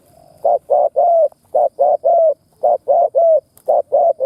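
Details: Spotted dove kept as a decoy, giving rapid 'thúc' and 'gù' cooing meant to excite wild doves. Four clear triplets of deep, rounded coos, each group ending on a longer note, with short pauses between groups.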